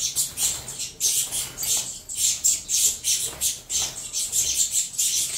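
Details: Hungry captive saffron finch chicks of a Venezuelan-line cross squeal as they are fed, with frantic hissing rasps repeating roughly every half second and uneven in loudness.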